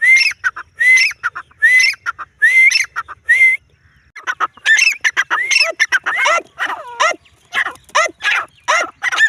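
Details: A female grey francolin (teetar) gives five loud, harsh notes with a rising whistled tail about every 0.7 seconds, then a quicker run of squeaky, scratchy notes.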